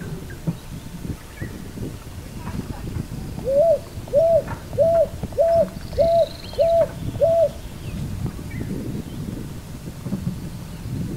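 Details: Picui ground dove calling: seven short, even hooted coos in a quick steady series, about 1.6 per second, over a low rumbling background.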